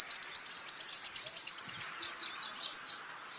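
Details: Training-recording song of a white-eye: a steady, rapid trill of evenly spaced high notes, about seven per second, ending in a jumble of sharper twittering slurs before a pause.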